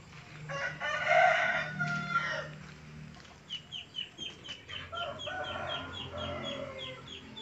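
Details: Hen crowing, a female chicken giving a rooster-like crow: a hoarse, strained harmonic call in the first seconds, followed by a run of rapid short chirping notes from other birds in the background.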